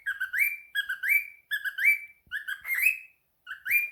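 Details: Pet cockatiel answering a phone call, giving a run of five clear whistled phrases, each a short lower note sliding up into a higher held tone, repeated roughly every three-quarters of a second in a quiet room.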